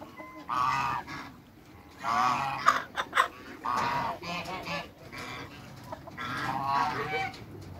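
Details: A pair of large African geese on a backyard farm, honking loudly in nasal, harmonic bursts. About five long honking bouts come over eight seconds, with short quieter gaps and a few sharp clicks between them.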